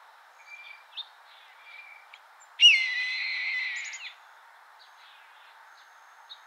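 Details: A single harsh, raspy scream from a red-tailed hawk, about one and a half seconds long, sharp-edged onset then a steady hoarse shriek that drops away abruptly, with a few faint bird chirps before and after.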